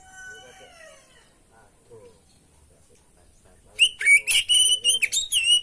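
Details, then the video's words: Kacer, or oriental magpie-robin, giving a training and lure song rich in borrowed phrases: faint falling whistles at first, then a sudden loud rapid series of ringing whistles, sharp clicks and swooping notes. "masteran pancingan burung kacer gacor isian bongkar"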